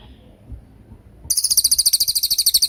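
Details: After a second of faint low background, a racket-tailed treepie bursts into a tembakan: fast, piercing, high notes fired roughly twelve per second and continuing to the end, used as a training recording for songbirds such as shamas.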